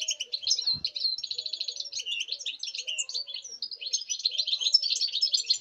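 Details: Sustained European goldfinch song recorded 05.08.2019: busy, high chattering twitters with a short rapid trill early on and a single low thump, over a faint background hum.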